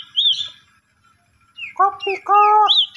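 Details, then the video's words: Asian pied starling lure song for coaxing a sulking starling to sing: a wavy whistle, a pause, then several nasal, harmonic honking notes and a closing upward whistle. "Jalak Suren Pundung, Macet Langsung Emosi Gacor Dengan Pancingan Jalak Suren Ini"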